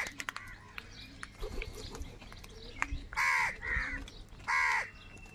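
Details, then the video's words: A huge crowd of crows: faint chatter at first, then three harsh, loud caws close together near the end. "Huge numbers of crows crowing and crying sounds"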